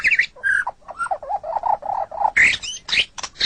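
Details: White-rumped shama song used for training captive songbirds: varied phrases, high sharp notes, then a run of lower warbled rolling notes, ending in loud harsh rising bursts and whistles.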